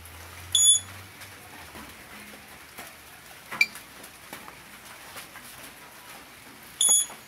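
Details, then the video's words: A blue-rumped parrot kept as a decoy bird to lure others of its kind gives two brief, shrill, high-pitched notes about six seconds apart, with a single faint click between them and a quiet background. "Denak Pemikat Burung Puling / Tanau"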